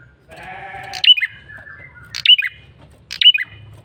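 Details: Male bar-winged prinia giving a lure call: sharp, high, chirping phrases that drop in steps, repeated about every second. A low, nasal, bleating sound and a low hum sit between the phrases.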